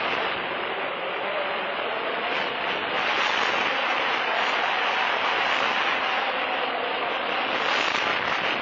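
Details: Loud, steady broadband rushing, like strong wind or heavy rain, fills the whole recording with no distinct animal calls.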